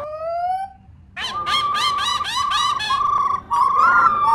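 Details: Female laughingthrush song meant to urge pet birds to sing: a smooth rising whistle, a pause, then rapid repeated chattering notes, about four per second, over a steady whistled tone.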